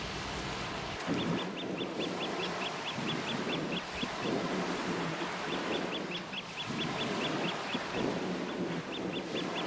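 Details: Shrill, rapidly repeated piping from a flock of Eurasian oystercatchers on the Hokusei coast, Mie, Japan, comes in three bursts of a dozen or so notes each, set against steady wind and wave noise.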